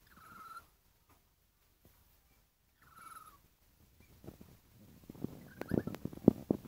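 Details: Lory for sale, giving a clear harsh squawk with rich overtones, a second one after a silent pause, then a shorter call amid a busy run of loud clicks, knocks and rustling.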